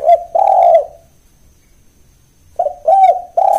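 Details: Mellow, low cooing of a spotted dove in 'kuk 1' lure style. One phrase ends with a long coo, then after a pause a new phrase opens with short notes and a drawn-out rolling coo.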